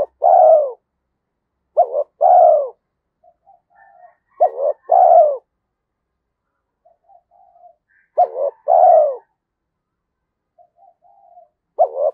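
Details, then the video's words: Spotted dove singing 'giọng thổ' style coos, said to suit forest trapping; four steady phrases, each a brief stuttered opening and a long falling coo, with faint soft notes between. "cu gáy giọng thổ Thúc Đấu giọng hợp rừng khi đi gài"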